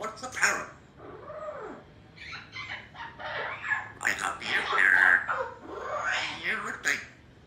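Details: Three-year-old female Congo African grey parrot, a pet kept indoors in a country home, practising words, with phrases like "I love you" delivered in short, voice-like bursts amid background music and household sounds.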